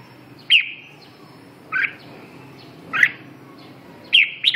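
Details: Red-whiskered bulbul giving four short bright warbled phrases spaced about a second apart, each a quick slurred burst, over a quiet background.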